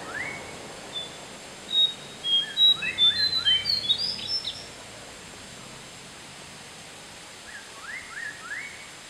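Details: Lesser Shortwing in Pahang, Malaysia, gives a brief, very high thin song of sweet notes that quicken into a jumble, with short rising chirps from another bird and steady background hiss.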